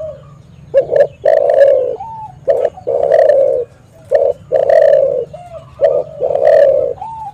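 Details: Vocal spotted dove calling, used as a lure for catching and prompting wild doves: deep mellow coos in repeated short-long pairs, about one phrase every two seconds, over a low steady hum.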